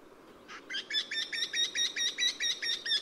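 A Eurasian wryneck gives a fast run of about fourteen nasal, ringing 'quee' notes, steady in pitch and evenly spaced, after a brief rustle.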